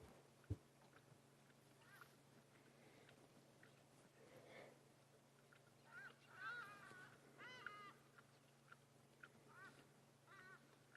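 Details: Distant Hadeda Ibises flying off to their roost at sunset give loud, nasal, honking calls in short broken bursts over a low hum, in Sabi Sand on August 23, 2016.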